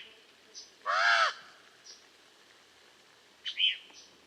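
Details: Common raven giving a single harsh, hoarse call with rich harmonics, lasting under half a second, surrounded by faint high chirps from other birds.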